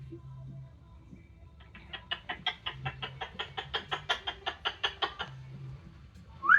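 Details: Pet Amazon parrot outdoors in sunshine, extra noisy while drying off after a shower: after a quiet start, a fast run of about thirteen clipped, clucking pulses over three seconds, then a short sharp squeak at the end.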